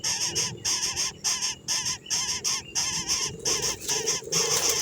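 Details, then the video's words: Nestlings being fed, giving loud, rapid bursts of harsh, high-pitched begging calls repeated in quick succession with brief pauses between bursts. "Baby birds feeding"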